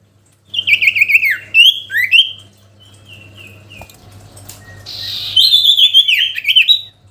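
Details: Sooty-headed bulbul song meant to call a rival: bursts of quick zigzag warbling notes, softer short whistles in the middle, then a loud rippling run at the end.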